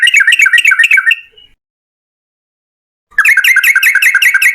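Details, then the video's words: Rapid chattering song of a yellow-vented bulbul in 'ropel panjang' style, a lure recording for other bulbuls: a dense burst of quick bubbly notes, a silent pause of nearly two seconds, then another fast run. "TRUCUKAN GACOR Ropel Panjang"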